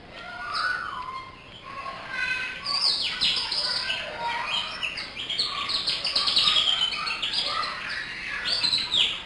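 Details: Local canary singing actively: a steady stream of rapid high twitters, buzzy trills and short whistled slurs, with varied phrases running almost without pause; some quieter lower notes mixed in.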